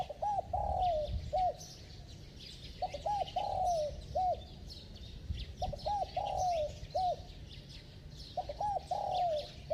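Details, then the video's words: Spotted dove with a bell-like voice, given with fast driving coos to stir a slow-responding bird: groups of low hooted coos, one longer note sliding downward, each phrase repeated roughly every three seconds over faint hiss and distant chirps. "Tiếng Chim Cu Gáy Giọng Chuông, Kèm Thúc Gù Tốc Độ II Kích Bổi Lâu Nổi"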